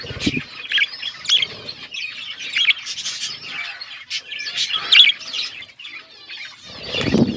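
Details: Pet budgerigars chirping while eating seeds: scratchy, warbling chatter in short irregular bursts, with low thumps and flapping-like rustles at the start and end.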